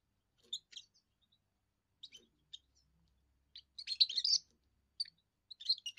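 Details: Young European goldfinch, first song, for territory defence and attracting females: scattered single chirps at first, then a dense burst of rapid twittering and a few closing notes.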